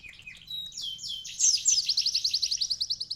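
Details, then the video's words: Sunbird singing vigorously with canary phrases worked into its song; a series of descending slurred whistles climbs into a fast, high, evenly pulsed trill over about three seconds. "konin gacor isian kenari||asli suara burung kolibri isian"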